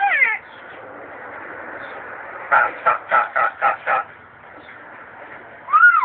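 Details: A pet parrot, said to have once lived with a religious man and now with a female drummer-singer, voices short, bending harmonic squawks at the start and end, with six evenly spaced percussive bursts like clapping or drumming between them.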